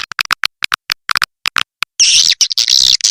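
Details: Lure sound for attracting swiftlets: a string of sharp, dry clicks at irregular intervals, followed by loud, high, buzzy chattering in two bursts.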